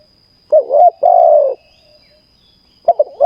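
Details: Decoy-trapping spotted dove in a cage gives a low cooing phrase: a brief double note, then a sustained, gently falling coo, with a new stuttered phrase starting after a short pause.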